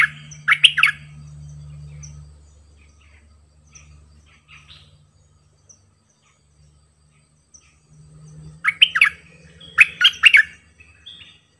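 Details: Decoy bulbul singing many songs: a short burst of warbled notes at the start, a long lull with only faint hum, then two more quick phrases of bright whistles near the end.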